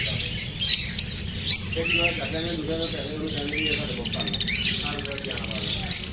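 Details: Lovebirds feeling unsafe from filming chatter in high, trilling chirps that speed into a rapid stuttering series near the end. People talk softly underneath.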